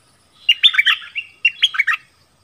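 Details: Decoy bird in a Thai forest, recorded 13 January 2021, calling to attract a mate: two quick bursts of bright, chirpy, warbled notes, each about half a second long, separated by a short pause.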